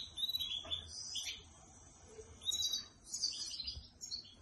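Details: Trained pet canary singing at home on a person's hand, reportedly singing when it hears its keeper's voice; high chirped and whistled phrases in two bursts separated by a quiet pause.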